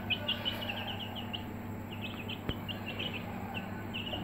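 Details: Brooder-housed Aseel chicks chirping in quick, high, overlapping peeps, with a single sharp tap midway and a low hum beneath.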